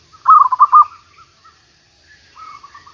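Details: Decoy zebra dove singing during trapping after a rainy week: a quick run of trilled, stuttering coos, then a softer second phrase answering.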